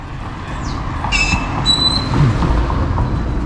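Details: A busy street in Mazatlan, Mexico, with rumbling vehicles, a passing bus and high squealing air brakes; no animal calls are heard.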